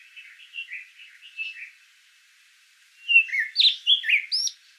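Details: Karoo thrush singing in a garden in Johannesburg: soft, clear whistled phrases that rise and fall, a quieter run of short notes, a brief pause, then a louder, more varied burst of fluty and slurred notes.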